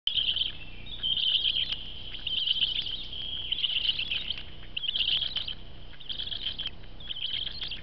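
Newborn black stork chicks give a near-continuous chorus of thin, high peeping calls in bursts about a second apart, over a low background rumble.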